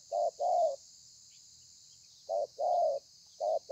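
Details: Wild-caught spotted dove singing thổ pha style coos, 30/11/2020: paired phrases of a short hollow note then a longer falling coo, two full phrases separated by a long pause before a third begins; steady high hiss behind.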